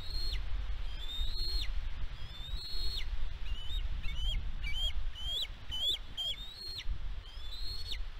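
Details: From the West End nest cam on Catalina Island, California, 16 May 2022, a bald eagle gives rising whistles that snap downward, speeding into a rapid string of short squeaky chitters, then slowing again, against soft wind rumble.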